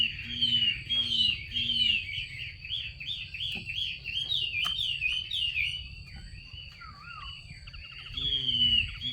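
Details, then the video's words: Calling female Chinese hwamei, used to spur males to sing: a rapid, tumbling run of short slurred whistled notes, some low-pitched notes mixed in, then a wavering phrase near the end, all over a low hum. "Tiếng chim mi mái xùy kích trống"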